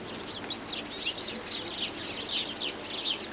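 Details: Common nightingale singing: a rapid run of varied high chirps and short whistled notes, rising and falling, delivered in quick bursts for about three seconds over a faint steady background hiss.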